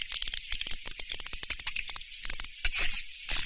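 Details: A lure track of swiftlets: fast, dry, high-pitched clicking chirps in quick succession, ending in a longer buzzy twitter.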